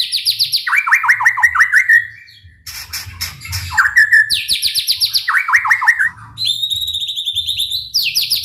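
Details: White-rumped shama song for provoking other shamas to sing: loud cascades of rapid downslurred notes, a harsh noisy phrase mid-way, then more fast note runs and high whistles, faint hum beneath.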